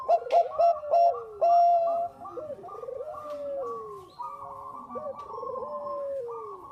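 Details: Bangkok-type zebra dove singing, used as a lure recording: short loud coos in quick bursts, then long sliding notes, with other doves cooing and trilling over each other throughout.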